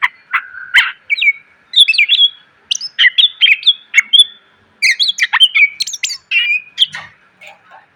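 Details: Greater green leafbird song for training cage birds, crammed with varied phrases: dense bursts of quick whistles, chips and squeaky slurs in rapid clusters, separated by short pauses.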